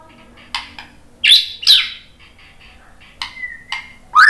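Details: White-rumped shama answering a lure recording with sharp, separate notes: clicks and harsh buzzy bursts spaced apart, one level pure whistle, and a final upward-sweeping note. The background is quiet.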